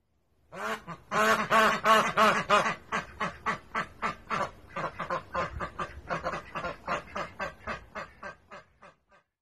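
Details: Domestic duck kept at a home in Toyokawa, Aichi, Japan, quacks daily in a long run of harsh, nasal quacks that tumble on like a man's laughter.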